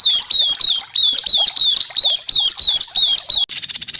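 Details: Masteran of White-rumped shama 'tembakan' song used to stir caged shamas: loud, high, repeated downslurred whistle phrases in quick succession, ending in an abrupt switch to a fast buzzy rattle.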